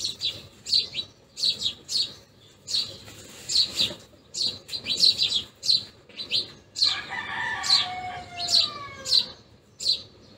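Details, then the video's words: House sparrows at a feeding spot chirp steadily in quick single and paired notes; midway a drawn-out, harmonic call sounds behind them, possibly a rooster crowing in the distance. "Sparrows Chirping | House Sparrows feeding Sound"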